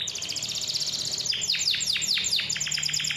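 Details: Canary singing with a clear voice, meant to draw young or unwilling canaries into song: a fast buzzy trill runs into a series of steep downslurred notes, then quick repeated chips, over a light hiss.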